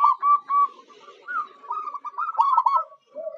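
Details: Local zebra dove used as a lure to draw in wild birds, giving a stuttering series of low, rolling cooing notes, some quickly repeated in short trills, with small pauses between phrases.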